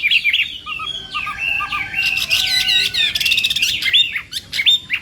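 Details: Chinese hwamei in morning song practice, delivering a rich, rapid stream of whistles, trills and harsh chattering notes, with short low tones underneath early on and sharp clipped notes at the close.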